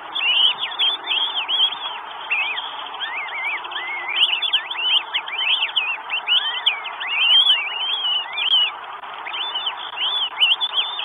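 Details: Northern goshawk with food in Estonia, 12 May 2022; dense, continuous chorus of overlapping downslurred and hooked whistles, many voices calling at once for the whole stretch, steady hiss beneath.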